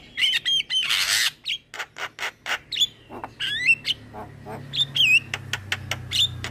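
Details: Energetic song of a young male black-winged starling recorded to train cage birds: a harsh noisy blast, then clipped squawks and several clear falling whistles, repeated quickly over a low steady hum.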